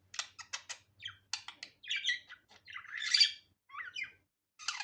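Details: Natural, unedited budgerigar vocalising: a quick run of short clicking chirps, then warbled, squeaky chatter and a louder buzzy burst, with brief pauses between phrases.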